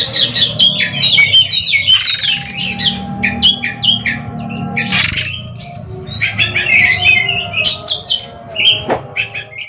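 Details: Ringed Oriental magpie-robins face off in a song duel: broken bursts of bright chirps and rapid warbled phrases, separated by pauses, while steady music plays behind.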